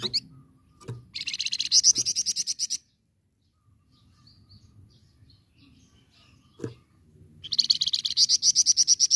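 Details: Flamboyan singing as a tutor for other birds: two loud bursts of rapid, high, rattling trills, each about one and a half seconds with over a dozen pulses, separated by a quiet gap with faint twitters and clicks.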